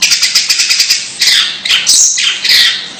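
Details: Long-tailed shrike calling oddly: a fast ticking rattle of evenly spaced clicks, then grating buzzy squawks.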